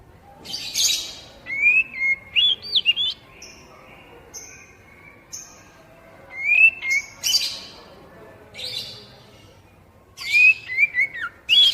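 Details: Oriental magpie-robin song for prompting young captive birds to sing. Repeated phrases of bright, sweeping whistles mixed with harsh, noisy squawks come every few seconds, with quieter pauses and a constant background hiss.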